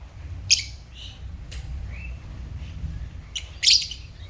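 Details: Pet African lovebirds giving two sharp, harsh high chirps about three seconds apart, with fainter short notes between them over a low background hum.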